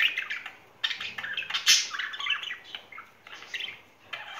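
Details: Two pet budgerigars in spring courtship give a fast run of raspy, warbling chatter with short clicks and squeaks, rising and falling in loudness with brief pauses.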